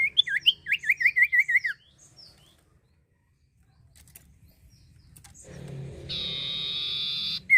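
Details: Common Iora song, played as a lure to stimulate other birds to sing: a quick burst of about eight looping, warbled whistles in under two seconds, then quiet, followed by a steady mechanical hum and buzz.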